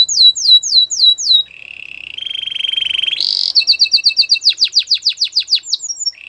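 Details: Belgian singing canary in full song: repeated looping whistles, a low buzzy trill, a harsh burst, then rapid downward-swept notes with a lower accompanying tone, finishing on a short trill; clean recording.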